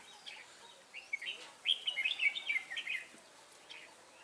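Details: Lure red-whiskered bulbul singing to draw wild birds into a trap, Ba Thá, 18 December 2016; a rich run of quick liquid warbled notes lasting about two seconds, then quiet.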